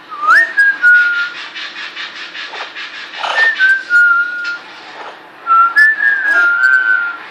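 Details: Female pet parrot in an indoor room in Quebec, Canada, newly learning to whistle: three clear whistled phrases, each rising sharply then holding a level tone, separated by pauses, while a person talks and laughs over them.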